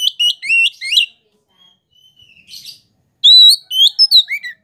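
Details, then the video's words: Kacer, the Oriental magpie-robin, as a provoking lure: clear whistled phrases with down-slurred and up-slurred notes, a soft scratchy pause, then a loud burst of rising whistles. "KACER POCI ANDA PASTI LANGSUNG EMOSI JIKA DENGAR SUARA KACER INI"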